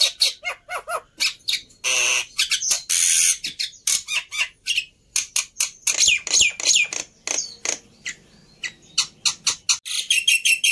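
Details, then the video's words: Black-winged myna fighter bird, overexcited and used as training for silent starlings: long noisy rasps, sharp clicking notes and harsh squawks packed into a fast, irregular series. "Burung Jalak Putih fighter Emosi Nya kelewatan || Cocok Untuk Masteran Jalak Bisu"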